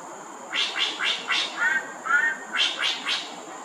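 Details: A greater racket-tailed drongo sings loudly from a perch at Thomson Nature Park, Singapore, giving harsh, rasping notes about four times a second, broken by a lower warbled phrase, over a steady high insect whine.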